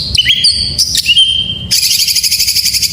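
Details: White-rumped shama singing to prompt other shamas: long steady whistles and slurred notes, then a harsh, rapidly pulsed buzzy rattle for the last second.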